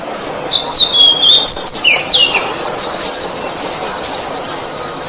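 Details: Oriental magpie-robin, known locally as kacer, in a training recording for cage birds: loud wavering whistles with downward slurs, followed by a rapid run of high chattering notes.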